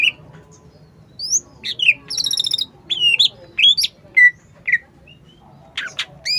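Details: Energetic cucak ijo singing in a varied string of whistled slurs, upsweeps and short buzzy notes, irregularly spaced, with steady low hum underneath.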